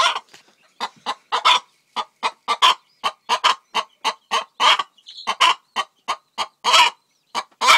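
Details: Faverolles cross hen, a layer of light, almost peachy eggs, calling around egg-laying: loud, harsh clucking bursts in a rapid uneven run, roughly three per second with brief gaps, faint high chirps in the background.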